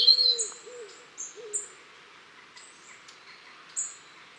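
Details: A flock of long-tailed tits visiting a garden in Cornwall on 23 October 2015 gives thin, very high, short see-see notes at an irregular pace; a few lower, soft hooting notes from another bird sound near the start.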